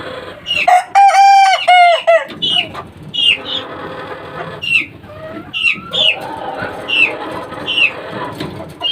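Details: Young Kukuak Balenggek cockerel, three months old, gives a loud, broken multi-syllable crow lasting about one and a half seconds. Thin, high, downslurred peeps follow, repeated roughly every second.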